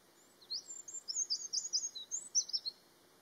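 Eurasian wren song: a rapid, high, tumbling stream of sharp notes and trills lasting over two seconds, with only faint background hiss.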